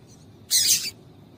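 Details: Single short, sharp, high chirp from a female double-collared seedeater, known locally as coleiro tui tui, used to stir a male into singing; quiet low hum fills the background.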